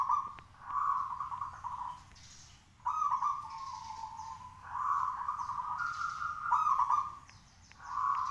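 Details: Zebra dove of local stock singing continuously in a hoisted cage, urging other doves to respond; long runs of rippling, gurgling cooing fill almost the whole stretch, pausing briefly, with light high chirps of other birds.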